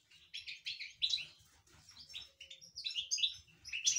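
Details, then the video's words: An excited European goldfinch inside a cage sings a fast, liquid twittering song of bright tinkling notes and short buzzy trills, almost without pause. "هيجان طائر الحسون داخل السلاكة صوت ولا أروع"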